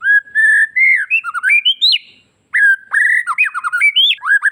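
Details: Bali white-rumped shama in full energetic song packed with varied fill phrases, used as a lure to make other shamas answer; loud clear whistled notes sliding up and down in rapid phrases, a half-second pause, then another burst of rich whistles.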